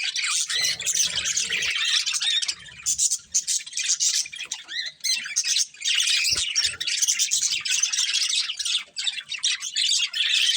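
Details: Breeding pair of colourful budgies singing: long, busy, high warbling chatter of scratchy and squeaky notes, briefly dipping near three seconds and again near six.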